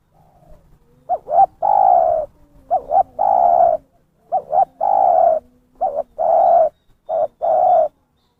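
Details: Spotted dove lure call used by bird trappers, clear and loud: four phrases, each two quick clipped notes then one long, slightly falling coo. The phrases repeat about every one and a half seconds against a quiet background.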